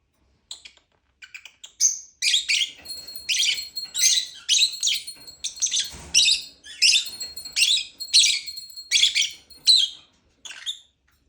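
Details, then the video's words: Lovebird chirping: after a few faint notes, a steady series of loud, buzzy high chirps roughly every half second, with a thin whistled tone running through them. "Lovebird chirping sound"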